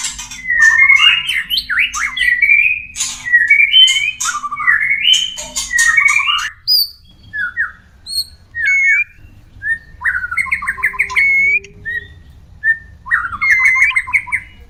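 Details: White-rumped shama mating song, caged bird, used as therapy to bring shamas into breeding condition: varied phrases of fluty whistles and quick trills interspersed with scratchy bursts, separated by short pauses, repeated over about fifteen seconds.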